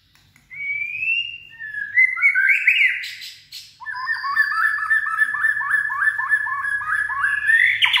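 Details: White-rumped shama in peak form, strong steely voice: clear rising whistles build into a loud burst, then a fast run of repeated chopped notes that accelerates and climbs at the end.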